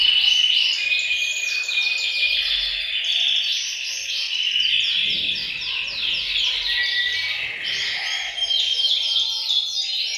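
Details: Group singing of canaries in a bird room aimed at prompting males to sing and preparing females; continuous dense warbling of quick repeated trills, about four notes per second, with overlapping voices throughout.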